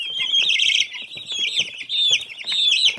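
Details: Baby chicks chirping: a dense chorus of high, thin peeping notes overlapping continuously, with small rustling sounds beneath.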